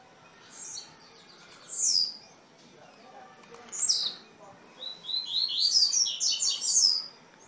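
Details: Blue-black grassquit in Jacarepaguá, Rio de Janeiro, Brazil: sharp, high, buzzy slurred notes, ending in a dense stuttering run of rapid buzzy chips.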